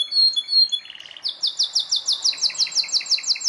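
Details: Belgian canary song: a few clear whistled notes and a soft low trill, then a fast series of sharp repeated chirps, about four per second, bright and high.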